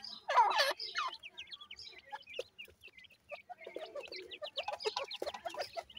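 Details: Grey francolin chicks (bhura teetar) calling: a dense run of short, high, upswept chirps and thin peeps, with a few lower clucking notes mixed in and brief louder bursts near the start.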